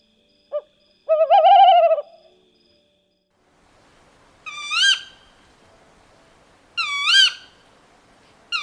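A Tawny Owl gives a short note, then a low wavering hoot, followed by three sharp, rising, shrill 'ke-wick' calls about two seconds apart.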